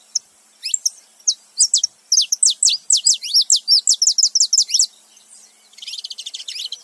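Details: Saffron finch pair, male and female together making noise: a fast even series of about twenty sharp, high downslurred chips, then a brief pause and a softer buzzy rattling trill.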